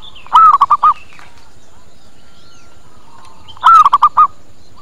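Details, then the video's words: Zebra dove calling as a lure for wild birds: a pair of rolling coo phrases roughly three seconds apart, each opening with a swelling note and ending in three or four short gurgling notes. "Suara PIKAT PERKUTUT Cepat Pada Datang dan Nyaut"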